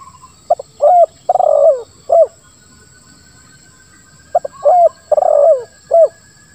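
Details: Spotted dove in the 'lambung kuk 1, suara ngeruk' style, used to coax silent doves into calling. Two deep phrases about four seconds apart, each a quick note, rounded coo, grating drawn-out coo and short final coo.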